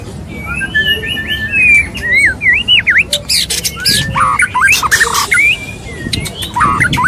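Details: Mating white-rumped shama, male courting female: looping whistled phrases that swoop up and down, then a dense burst of harsh chattering notes and sharp clicks, with quieter squeaks near the end.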